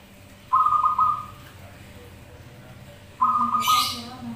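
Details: Zebra doves singing in answer to one another, as used for luring: two rapid, trilled, level cooing phrases about two and a half seconds apart, with a brief hissy noise burst near the end.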